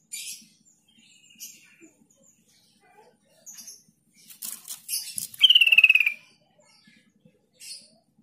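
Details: Sooty-headed bulbul lure intended to make mute young and flock-kept bulbuls respond fast. Scattered soft chips and twitters come first, then a loud pulsed trill sliding downward, with faint chirps afterwards.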